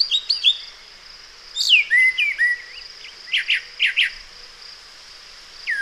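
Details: A brown thrasher sings a run of varied, high, slurred and chirpy phrases, each quite different from the last, with short pauses between them. It is part of a 40-second song in which it never repeats a phrase.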